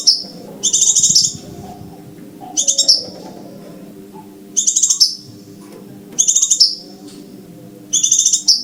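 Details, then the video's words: Lure recording of a scarlet minivet: six short bursts of fast, shrill, ticking notes that close with a downslurred whistle. The bursts come about every second and a half, with soft low hum between. "cara mikat burung sepah raja,ya dengan mp3 jitu ini"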